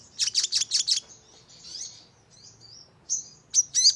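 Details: Sogon, the crimson sunbird, on a lure track: five loud, evenly spaced, sharp high chips, then softer thin wavering notes, and a couple of abrupt shrill calls to finish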